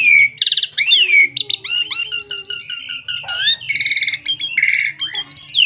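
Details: Full varied song of an Asian pied starling, played to prompt other starlings to sing; dense clear downslurred whistles, rattling trills and rapid chirp series packed continuously, loud and high-pitched.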